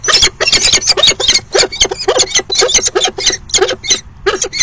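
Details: Courtship dance of a falcon pair at their nest box, afternoon of 29 September 2016, after the male had waited all morning for the female. Dense, shrill, scratchy calls pour out rapidly and overlap, with brief gaps near the end.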